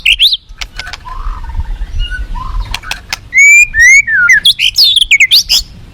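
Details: Forest white-rumped shama gives a few high upslurred notes and soft low warbles, then bursts into loud clear whistles climbing into high twittering, over a low rushing-water background.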